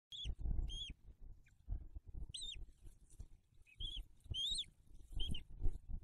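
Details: Bald eagle at its nest in December 2022 soon after the first eaglet hatched, with feedings at the nest: high, thin chirped notes that rise and fall, given singly and in quick pairs, over low rumbling and rustling.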